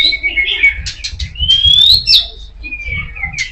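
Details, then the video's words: Kacer poci (Oriental magpie-robin) singing loudly: clear whistled phrases, a long rising whistle sliding upward, then a sharp high note and short falling whistles, over a faint low hum. "SUARA KICAUAN BURUNG KACER POCI KENCENG"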